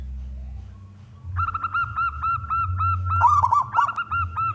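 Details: Male local zebra dove, a contest bird, calling to lure other doves into singing: after quiet hum, a fast run of short hooked cooing notes about four per second, with one louder rolling burst near the end.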